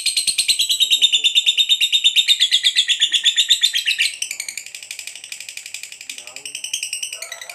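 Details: Fighter lovebird chattering long ngekek to provoke another lovebird into answering: loud rapid shrill trill for four seconds, then a softer, more varied rattling continuation.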